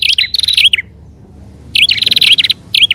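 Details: Prinia lure sound combining prenjak alang-alang with upper and lower prenjak: two bright bursts of quick high chirps and downslurred notes separated by about a second of silence.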